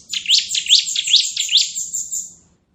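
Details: Bar-winged prinia, crystal type, giving a ngebren-style song: a rapid, shrill, continuous trill of high ringing notes lasting about two and a half seconds, then ending abruptly.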